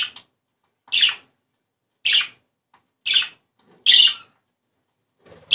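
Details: Budgerigar vocalizing, with the sound presented as a way to stimulate breeding condition: harsh, buzzy chirps in short bursts about once a second, five clear bursts separated by silence, with no other sounds.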